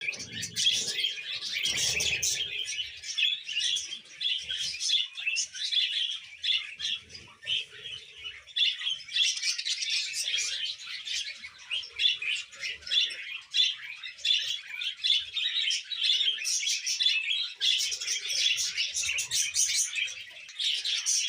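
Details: A baby budgerigar keeps up a dense stream of high, scratchy chirps and chattering squeaks.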